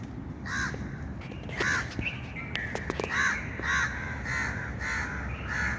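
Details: Outdoor bird giving a run of hoarse, nasal caws roughly once a second, unevenly spaced, with a few sharp clicks and knocks between the calls and a constant low rumble.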